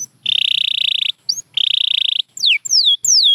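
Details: Champion canary singing: two long, fast buzzy trills of high pulses, then bright downward-slurred whistles repeated about every third of a second; quiet, clean recording.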